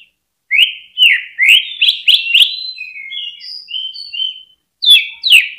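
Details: Greater green leafbird lure song for stimulating caged birds; rapid rising-falling whistled notes, then a stretch of soft, thin high tinkling, before two loud downswept whistles return.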